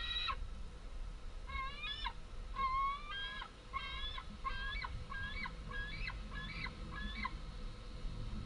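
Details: Two big fledged white-tailed eagle young calling for food at their nest, 11 August 2014, amid wing flapping; a steady run of strained, rising harmonic screams, roughly two per second, over soft wind-like rumble.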